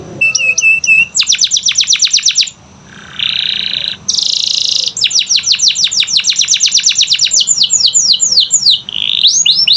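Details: Canary song for prompting silent canaries: twittering notes, then rapid sharp trills, a lower buzzy passage, a brief hush, a harsh high buzz, then long runs of quick descending notes ending in looping whistles.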